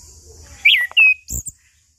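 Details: Chestnut-capped thrush singing 'ngeplong', a lure for birds that have stopped singing: a sharp arched whistle followed by a long level whistled note, then a short high squeak, over faint hiss.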